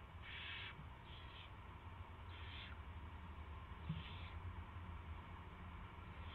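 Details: Soft, breathy screeches from an owl, three or four short bursts in six seconds, as a rat is delivered on March 2, 2016 at 7:05 PM, with low humming noise throughout.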